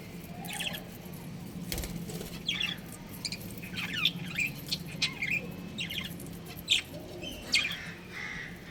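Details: Pet budgerigars, a breeding pair, chattering steadily with quick high chirps and squeaky warbled notes spread evenly across the whole stretch. A faint low hum sits beneath.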